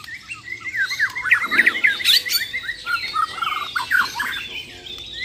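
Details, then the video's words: Champion Borneo White-rumped shamas in a mental test against rivals give harsh, squawky besetan bursts and jumbled chattering notes, dense and fast throughout. "BURUNG - BURUNG JUARA MURAI BATU BORNEO "MUARA WAHAU" || FULL ISAIN BESETAN DAN TEMBAKAN"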